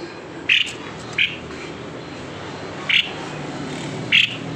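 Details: Four clipped, bright whistled notes from a White-necked babbler, spaced one to two seconds apart with uneven gaps, above a soft constant hiss; the recording serves to lure reluctant birds into singing.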